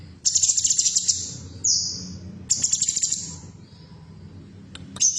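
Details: Female bulbul (cucak cungkok) song meant to prompt caged birds to sing: two fast rattling high trills of about ten pulses each, separated by a falling whistled slur, over faint low hum.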